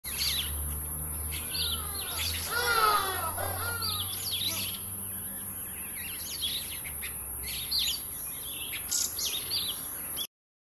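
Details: Jameson's firefinch (Lagonosticta rhodopareia), a rare visitor to a suburban garden in Pretoria, South Africa, gives short, high chirps and brief trills, about four a second, mixed with other birds' calls and a low steady hum.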